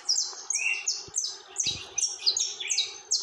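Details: High, ringing saffron finch notes tumble down in pitch, a short slurred phrase repeated roughly every half second, with a couple of soft clicks beneath.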